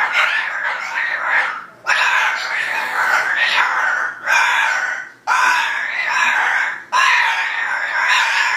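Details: Pet female cockatoo, described as expressing herself positively, giving loud harsh rasping screeches in long bursts of one to two seconds, with short pauses between.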